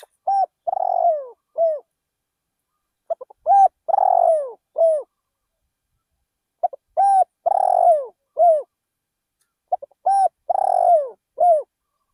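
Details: Decoy spotted dove repeatedly singing in a rice field. Four phrases come at roughly three-second intervals, each with brief stuttering notes, a long buzzy purr gliding down, and a short ending coo. Faint thin high chirps sit above the cooing.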